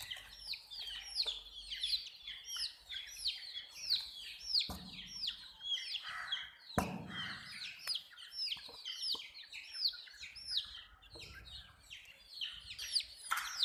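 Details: Colored chicken chicks chirping together: many high, falling peeps repeated rapidly and overlapping, with occasional sharp knocks and a short scraping noise midway.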